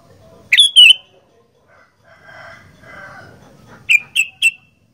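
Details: Sooty-headed bulbul in energetic fighter-style song: a loud pair of ringing notes, a pause filled with softer mid-pitched chatter, then three rapid bright notes in a row.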